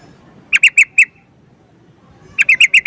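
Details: Yellow-vented bulbul (trucukan) calling: a quick bright burst of four sharp chirped notes, a pause, then a second run of five similar notes, with a quiet background.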